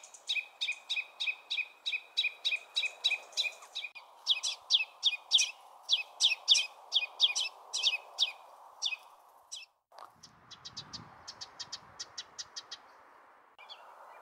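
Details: A Ruby-crowned Kinglet gives its harsh, fast, two-parted scold call, usually given at a potential threat: a fast series of dry, high notes, about three or four a second, over a steady low hiss.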